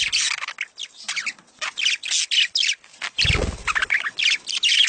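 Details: Breeding-stimulation mating call of budgerigars, a busy stream of harsh chirps and squawky warbles broken into short bursts, with a brief low thump near the middle.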